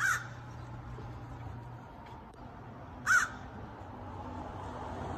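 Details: Crow visiting a yard to take a cached peanut from one of its hidden stashes; a single harsh caw at the start and another about three seconds later, with steady low background noise between.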